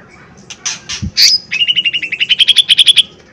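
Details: Lesser green leafbird in loud lure song to provoke a response: harsh notes lead into a fast, even trill of about eighteen clear whistled notes that rises slightly in pitch.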